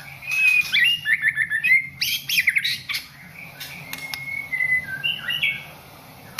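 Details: Caged white-rumped shama, a national contest champion, singing from Aceh stock: a quick series of whistled, slurred notes around a steady pitch, then sharp clicks and a long level whistle ending in higher warbled notes, over a constant low hum.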